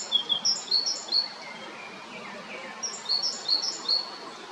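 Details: Great tit, a male, filmed at Jarun in Zagreb, Croatia, in spring 2022, gives two runs of bright, thin repeated notes alternating high and lower pitch, each run about a second long, with a short gap between and soft background noise.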